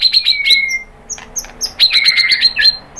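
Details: White-rumped shama song, used to provoke other birds into singing: sharp chips and a long falling whistle, a pause with high squeaky notes, then a fast trilled burst with a descending whistled slur.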